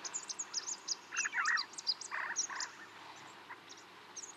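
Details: Snow partridge near Tungnath Temple, Chopta, Uttarakhand, India, at 3700 m altitude, giving two short bursts of harsh, grating clucks in quick succession, with thin, high chirps from other small birds continuing throughout.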